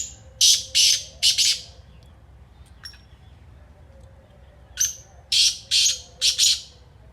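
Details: Black francolin (kala teetar) calling: two phrases of four harsh, grating, buzzy notes, one at the start and another near five seconds, separated by a quiet gap with faint background hum.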